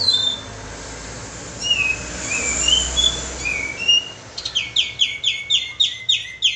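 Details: Bulbul called kapas tembak, lure call: a few soft, thin whistles at first, then a loud, fast series of sharp chirps repeated several times a second.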